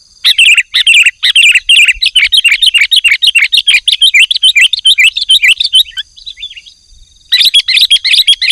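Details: Energetic sooty-headed bulbul song used as a lure to make caged birds sing: a long, dense run of fast chattering, bubbling notes, a short pause, then the chatter resumes, over a steady high-pitched whine.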